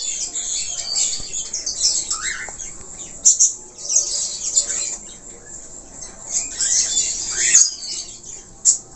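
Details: Budgerigar, Australian parakeet, chattering in loose bursts of scratchy warble with a couple of short rising whistles and sharp clicks, quieter stretches between phrases.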